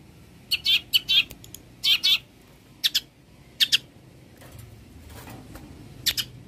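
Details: Long-tailed shrike, a singer that copies many other birds, recorded as training material for songbirds: scratchy, buzzy doubled notes in short clusters separated by brief pauses, fading to quieter rasps.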